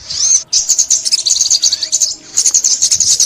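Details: High, sibilant olive-backed sunbird song from 2021 trapping footage: a short opening sweep, a pause, then a quick run of sharp repeated chips, and a fresh burst near the end.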